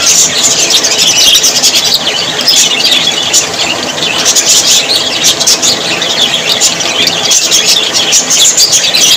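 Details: Australian parrots, described as happy budgies, chattering together in a dense, continuous wash of high, scratchy chirps and squeaky notes with no pauses throughout.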